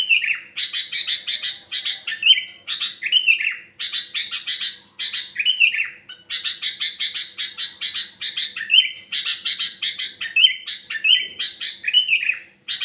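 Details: Sooty-headed bulbul song in trocok filler style: bursts of fast, buzzy chattering notes broken by short pauses, each burst ending in a rising slurred whistle, repeated throughout in a clean, quiet setting.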